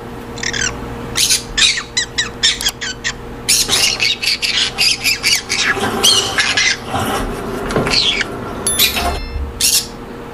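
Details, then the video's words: Monk parakeets in colony breeding aviaries, producing long runs of short, harsh, chattering squawks in quick succession, many birds overlapping, with a faint mains hum underneath. "أصوات ببغاء المولينا في السلاكات والتربية الجماعية"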